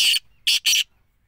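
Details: Black francolin giving three harsh, grating, high-pitched notes in under a second: one, a short pause, then a quick pair. No other sounds.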